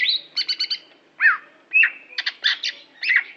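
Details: Prize-winning greater green leafbird from Aceh singing rapid rattled chip series, harsh downslurred notes and a sharp rising whistle in a lively, uneven rhythm.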